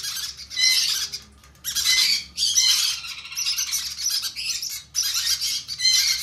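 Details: Begging conure chicks at hand feeding: loud, grating squawks in bursts of under a second to two seconds, with quiet gaps between.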